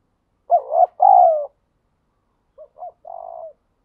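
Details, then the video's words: Wild spotted dove cooing in natural surroundings, two soft low hooting phrases, each a short note or two followed by a longer wavering coo, separated by about a second of silence. "chim cu gáy thúc gù bài bản, chim cu gáy đất thúc gù ngoài tự nhiên"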